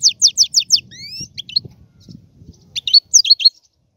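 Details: Goldfinch producing a row of repeated downslurred notes, a thin rising whistle, then soft twitters against a low background rumble.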